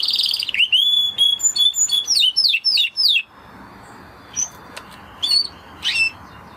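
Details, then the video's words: A Spanish Timbrado canary sings a series of downslurred whistled notes repeated about twice a second, then falls quiet apart from a few isolated sharp chips. "Canary Sound Effect - Canary Singing Video"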